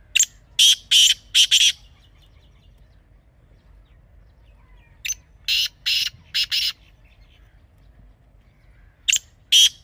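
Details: Partridge call series for daily training listening, three bursts of loud grating notes, each of three to five notes, separated by quiet gaps of several seconds.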